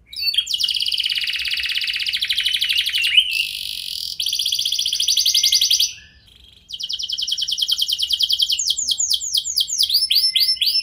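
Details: Singing canary used as a lure to make other canaries respond: long fast trills of rapid repeated notes, a buzzy rolling phrase, a brief pause near six seconds, then quick descending sweeping notes.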